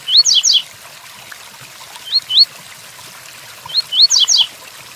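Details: Tui Tuí Fibra song of a double-collared seedeater amid falling rain: a rising whistle then two falling notes, a pair of upslurred whistles, and another phrase of rising whistles ending in two descending notes.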